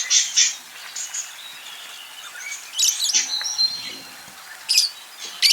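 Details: Pet budgie chattering while courting: raspy chirps at the start, a lull of soft warbling, then sharp squeaky bursts and a drawn whistled note near three seconds, with a final loud chirp.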